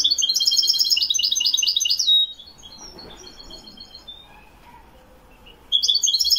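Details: A Moroccan Wiidani European goldfinch, recorded in 2021, pours out a two-second stream of sharp, rippling high trills and twitters. A few scattered soft notes follow during a pause, then a fresh tinkling burst begins.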